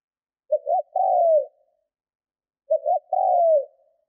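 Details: Decoy spotted dove under training, giving its provoking coo twice: each phrase opens with two short low notes, then a longer mellow coo sliding downward, separated by about two seconds of quiet.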